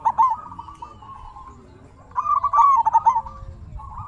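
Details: Zebra dove, a local bird, cooing to prompt other doves to answer and rouse them: two bursts of rapid rolling, staccato coos on a steady mid pitch, with soft rumbling background.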